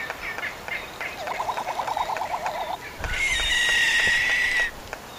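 A sandpiper gives a quick, bubbling trill of about a dozen mid-pitched notes, then a long, steady high whistle over rushing background noise.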